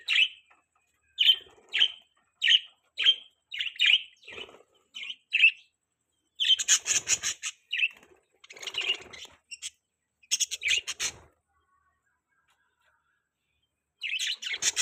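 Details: Budgerigars chirping: a steady run of short, bright chirps about half a second apart, then bursts of harsh, scratchy chatter, a pause, and one last chirp near the end.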